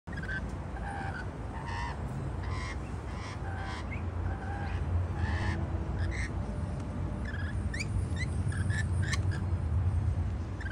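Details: Rainbow lorikeets eating white bread on a patio give a steady run of short, harsh, chattering calls, several per second, over a constant low rumble of background noise.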